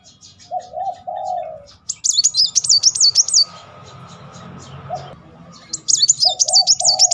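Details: Van Hasselt's sunbird singing repeated 'nembak' bursts, a lure to make silent birds sing. Two high, rapid, wavering trills separated by a pause with a faint hum, and low soft cooing phrases in the background.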